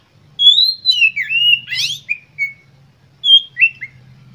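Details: Kacer, the Oriental magpie-robin, singing a lure song to provoke other birds: a long bending clear whistle, a rasping buzzy burst, then short pure whistled notes after a gap, over a faint low hum.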